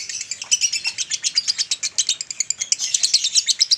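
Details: Male lovebird giving a long chattering song ('ngekek panjang'), used as a master recording to train and stimulate adult males: rapid, dense, buzzy high chirps pulsing several times a second without pause.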